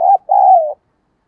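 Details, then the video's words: Decoy spotted dove cooing to lure wild doves, in the voice style called giọng thổ: a short low note, a brief pause, then one long steady mid-pitched coo sliding slightly downward. "Chim Cu Mồi gáy kích bổi hiệu quả mỗi ngày"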